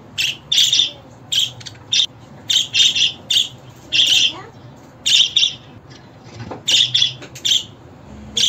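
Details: Pet budgerigar calling sound meant to make a caged budgie sing back, heard as sharp, buzzy chirps in short bursts with brief gaps, a faint lower squeak in between.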